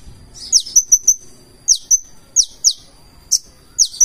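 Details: Purple-throated sunbird (konin) delivering 'gacor' full 'isian' song: sparse, very high, sharp downslurred chips and short thin whistled notes, spaced irregularly with quiet gaps between them.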